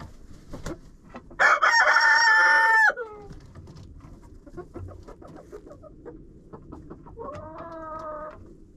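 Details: Chicken in a coop, caught on a GoPro placed inside: a loud rooster crow of about 1.5 seconds, followed by scattered soft clucks and scratching, then a quieter drawn-out hen call near the end.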